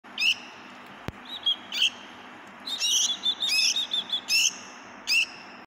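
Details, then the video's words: Red-vented bulbul chick giving short, sharp, high chirps, scattered singly and then in a quicker run of bright squeaky notes, with a faint background hum. "Red-Vented Bulbul Baby Bird Sound"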